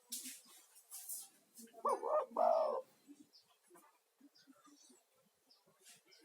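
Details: Spotted dove, a lively calling male used as a lure for other doves and for soothing stressed caged doves; one low cooing phrase of two or three rounded notes, with faint chirps and rustling around it.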